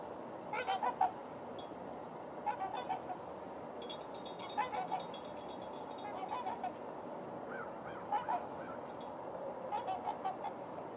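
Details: Trumpeter swans crowded together at a water hole, giving short nasal honking calls in small bursts every couple of seconds, with several birds overlapping.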